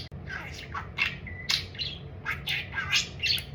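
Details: Chattering captive budgie on the subject of food, with quick scratchy notes, a short level whistle and rising squeaks in close succession over a low hum.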